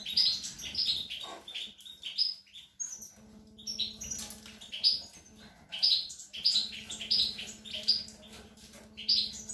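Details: A European goldfinch feeding young, 25 April 2021, sings rapid tinkling high twitters in clustered phrases with short pauses, over a steady low electrical hum.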